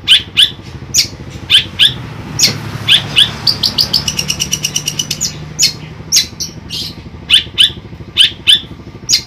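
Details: Sharp, high chirps in pairs from a caged long-tailed shrike in Ampelgading, Central Java, with a quick stuttering run of notes in the middle and a low engine hum behind.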